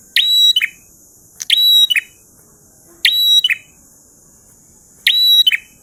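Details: Four prinia phrases in ngalun style, spaced one to two seconds apart: sharp ticking start, clear sustained whistle, then a descending buzzy note. A high continuous hiss fills the background.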